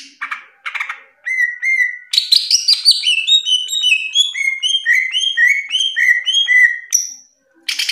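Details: Greater green leafbird (cucak ijo) masteran song, Indonesia. A few harsh chips give way to a long flowing series of clear whistled notes, many repeated, rising and falling in quick succession.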